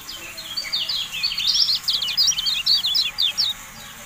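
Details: Javan white-eye in a training recording for caged birds, delivering a dense, fast twittering song of high, sharp, zigzag notes for about three and a half seconds before stopping, over faint hiss.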